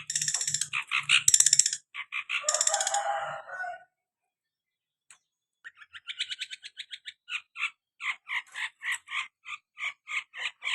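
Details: Long-tailed shrike from Madura, a lively singing bird, giving harsh chattering bursts followed by a long run of short, clipped, evenly spaced notes repeated about four per second, with brief pauses between phrases.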